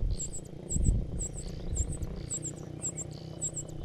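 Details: Begging parasitic cuckoo chick raised by foster parents, mouth open for food: high, thin double squeaks repeated roughly once a second, with low rumbling noise beneath.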